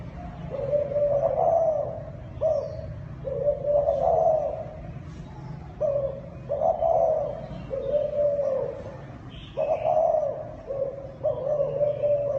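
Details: Zebra dove (Thai dove) cooing repeatedly, each soft rolling phrase lasting about a second and separated by brief pauses, about eight phrases in a steady low warble.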